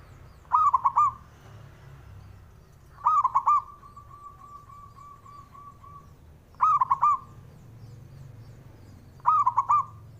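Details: Male zebra dove whose song is used to goad rivals: four rolling cooing phrases, roughly every two and a half to three seconds, one followed by a long thin level tone.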